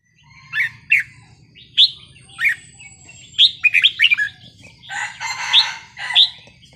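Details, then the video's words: Red-whiskered bulbul singing a wild-style song with pleasing phrasing: bright slurred whistled notes in quick bursts, some rising and some falling, plus a rich warbled phrase near the end, over a faint low hum. "นกกรงหัวจุกเพลงป่า สำนวนเพราะ ๆ"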